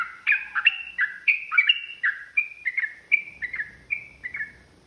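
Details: Rapid chattering song of a yellow-vented bulbul, meant to provoke and anger rival birds: rolling, liquid two-note slurs pour out in a steady stream, fading toward the end with soft low noise.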